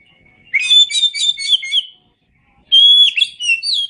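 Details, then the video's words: Oriental magpie-robin (kacer) from an Indonesian masteran recording: a dense, scratchy, rapid warble lasting over a second. After a short silence comes a steady pure whistle that breaks into varied twittering notes. "Masteran Suara Kacer"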